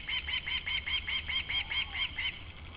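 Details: Osprey in Latvia on 28 July 2012, calling in the background: a steady series of about eleven short, upslurred whistled chirps, roughly five per second, over a low rumbling hum.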